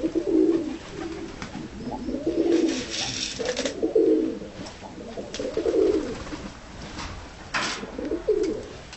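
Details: A loft of tumbler pigeons, timid-looking but easily managed, with a steady series of deep coo phrases roughly every 1.3 seconds, loud and clear, punctuated by sharp wing flaps and clattering at 3 and 7.5 seconds.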